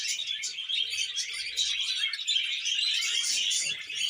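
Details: Budgies mating and breeding, a steady stream of bright, scratchy chirps and twittering notes running without pause, several birds overlapping.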